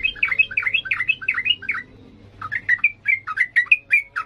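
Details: Sooty-headed bulbul in energetic, full-voiced 'ngalas' singing, kept to train young birds: quick bubbly slurred notes, rising and falling, in a tumbling run, a short pause, then a brighter series of clear upward-flicked whistles.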